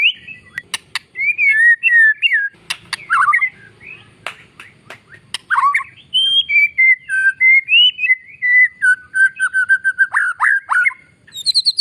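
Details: White-rumped shama singing energetically to stir other shamas to respond; varied clear whistles with sharp clicks early on, then a long sequence of fluty slurred notes and quick repeated chips.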